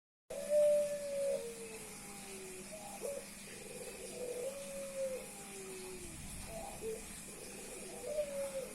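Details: Male Puter Pelung dove meeting a female, cooing nonstop to show off; long mid-pitched coos, each starting with a short rising note then a drawn-out tone sliding down, repeated about every three seconds over steady hiss.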